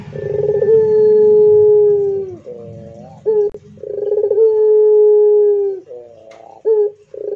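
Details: Long-drawn pelung coos from a Barbary dove. Each is a sustained, even, low tone lasting almost two seconds, followed by short wavering notes. Two full phrases are heard.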